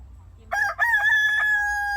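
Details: Rooster crowing at five in the evening, which it does morning and evening to tell the time: after a short lead-in, a loud long crow with a brief break, then a steady held note to the end.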